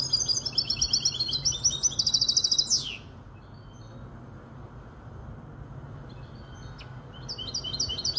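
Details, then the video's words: Goldfinch hybrid, kobiya Malaga, aged five months, Casablanca, Morocco, delivers a dense, high twittering trill ending in a falling slur. A pause of several seconds follows, then a few soft notes and fresh high chirping. Background hum. "تغريد هجين الحسون كوبية ملقا 5 أشهر"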